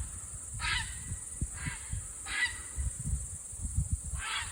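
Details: Several common cranes visiting Estonian countryside on 22 July 2021, reacting to someone stepping out of the house; four brief, honking harmonic calls spaced about a second apart, against a steady high hiss and low thumping noise.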